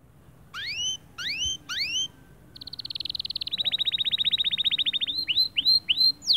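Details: Male white canary singing a motivating song to stir other birds: three rising whistled slurs, then a long rapid trill of dense buzzy notes, ending in repeated sweeping whistles.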